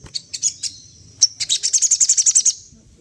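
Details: Sunda laughingthrush singing while imitating other birds' sounds: a few scattered sharp chirps, then a fast run of about a dozen bright, evenly repeated high notes that fades out.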